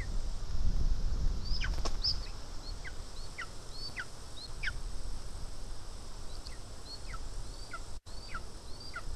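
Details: Lesser spotted eagle at the nest in Estonia, 2 August 2020, on a day when voles were delivered. It gives repeated high, thin upslurred whistles with quick downward tails. Clattering handling noise comes near the start and a brief dropout near the end.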